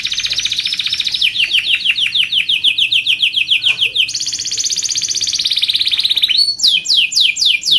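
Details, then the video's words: Long, energetic canary song for tutoring and prompting other canaries: fast repeated downward-sweeping high notes, then a bright, dense rolling trill, closing with sharp descending whistled strokes. "kenari gacor panjang SUARA BURUNG KENARI ampuh buat MASTERAN KENARI & PANCINGAN KENARI"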